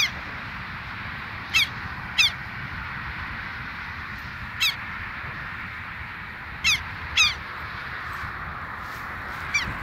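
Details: Southern lapwing pair near their nest site, bold and calling a great deal. Strident, harsh single and paired notes, about seven in ten seconds at irregular spacing, each short and ringing with overtones, over constant hissing noise.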